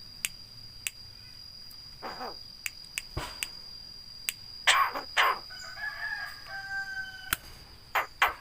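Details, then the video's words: Javan myna, a bird trained to copy human greetings and coughs: sharp clicks and taps scattered throughout, then a few loud hoarse, raspy bursts in the middle and a drawn-out nasal note, with a constant hum. "BURUNG JALAK BISA NGOMONG,UCAP SALAM BATUK DAN LAIN-LAIN"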